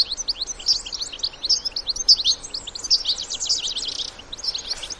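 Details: Wild European goldfinches with their young, giving continuous bright twittering song and chatter. Rapid high notes tumble over one another in near-unbroken phrases.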